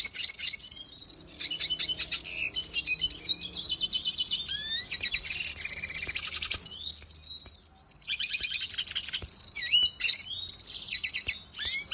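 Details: Red siskin training song for cage birds: a continuous, rapid high twittering of buzzy trills and chattering notes, with short rattling bursts and sweeping whistles, delivered almost without pause.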